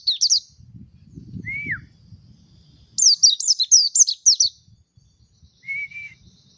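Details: Mountain white-eye singing: quick bursts of high, sharp, descending chirps, a lone lower slurred note dropping in pitch, then a short warbled note near the end, over a faint low rumble.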